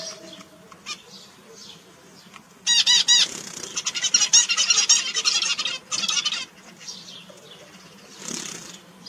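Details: Zebra finch chirping in a rapid burst of nasal, buzzy notes, densely stacked and repeated for about four seconds, then a brief break and a shorter run; faint quiet chips come before and after.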